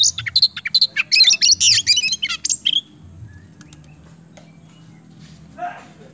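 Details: Oriental magpie-robin in energetic song meant to prompt other birds to sing: nearly three seconds of loud, harsh, rapid chattering notes and short trills, then quiet with faint low hum and one soft distant note.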